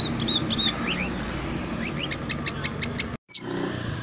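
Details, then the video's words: Brown-chested jungle flycatcher in continuous gacor song: quick rising whistled slurs and short ticking notes, a brief silent gap, then high thin descending whistles, set against a noisy low rumble. "Sikatan Rimba Dada Coklat Gacor - Ngeroll Tiada Henti"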